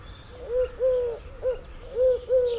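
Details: Eurasian collared dove singing, a garden bird: soft hollow coos in a steady three-part phrase, a short middle note between longer level notes, repeated cleanly over a quiet background.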